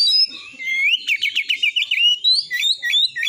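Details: Song of a white-rumped shama meant to rouse rival shamas to sing and fight, built from a quick run of rising whistled slurs, repeated chattering notes and bright high whistles.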